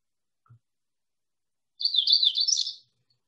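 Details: Magnolia warbler (Setophaga magnolia), song.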